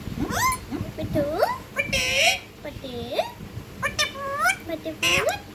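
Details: Pet ringneck parakeet talking indoors: looping, rising and falling speech-like syllables with strong harmonics, broken by a couple of brief harsh, noisy bursts.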